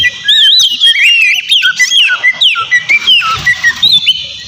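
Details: Kacer in loud, continuous song meant to goad a rival: wavering whistled phrases and quick upslurred notes, mixed with brief harsher chips.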